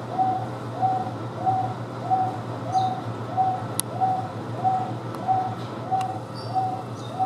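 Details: A Wonga pigeon at Houston Zoo, housed with Taveta weavers, repeats a single clear, mid-pitched coo about every two-thirds of a second, very even and monotonous, over a steady low hum with faint chirps from other birds.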